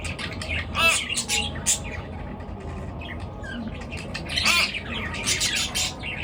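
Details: Birds chirping in the morning, with scattered high chirps and sharp squawky notes in clusters, loud bursts near the first and fifth seconds, and quieter twittering between, over a low rumbling background.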